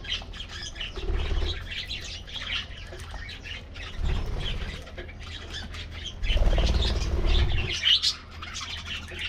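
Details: Aviary budgies during a morning diet treat, softer background twittering from many birds interrupted by bouts of low rumbling and wing flutters, one brief louder chirp late.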